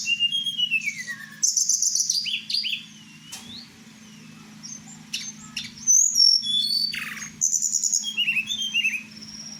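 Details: Kept blue flycatcher (tledekan) from Merapi singing at night: a rapid, varied run of high whistled phrases, some sliding downward, with bright chips and trills in bursts. A steady low hum runs underneath throughout.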